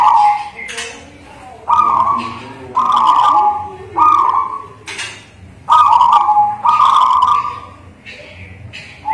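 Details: Local zebra dove singing steady cooing phrases in bursts of about a second, spaced by quiet gaps, with occasional clinking sounds in between.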